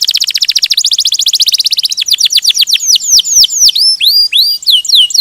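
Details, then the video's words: Canary rolling song with a rapid dense trill of short notes that slows into downslurred whistles and then rising whistled notes. "Kenari Ngerol Gacor - Banyak burung kenari cepat gacor dengan suara kenari ini"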